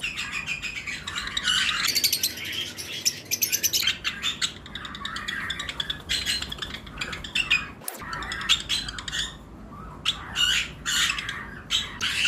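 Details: Many lovebirds of various mutations, kept in pairs in a flight cage in breeding season, chirp and squawk constantly, with dense, shrill, overlapping high notes and a few brief gaps.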